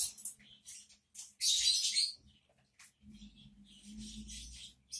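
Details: A male parrot, said to be pretending he can't talk, gives short, harsh, high chirps and one loud raspy screech, with brief pauses between and a low hum underneath.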